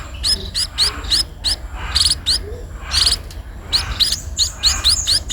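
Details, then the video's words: Persistent begging from a sparrow being fed, with high rising chirps repeated rapidly in insistent runs, some notes doubled and buzzier, and a low background hum. "burung pipit diberi makan"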